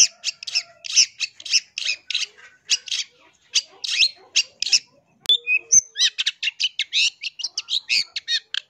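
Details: Song of a long-tailed shrike, used as a lure for wild birds: fast series of rasping buzzy notes, a brief pause with a sharp click, then quick chattering chirps.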